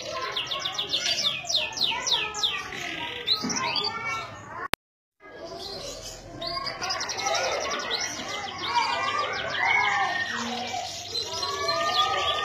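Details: Canary in Indonesia singing rapid trilled phrases of high whistled notes, broken by a brief silent gap, then resuming with dense warbling amid a busy background of other chatter and voices.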